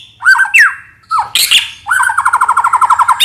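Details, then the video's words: White-rumped shama singing a lure phrase: two slurred whistles, a sharp harsh burst, then a fast, even rattling trill of about a dozen notes. "Pikat Suara Burung Murai Batu"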